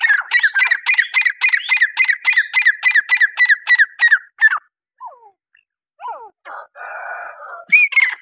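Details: Grey francolin, the desi teetar, giving a fast run of harsh, grating notes with a rising-falling ring, repeated for about four seconds, then scattered short squeaky notes and a brief rough burst.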